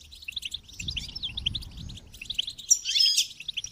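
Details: Rapid twittering goldfinch song, chattering notes running steadily, then a louder harsh buzzy phrase near the end; soft low rumbling underneath.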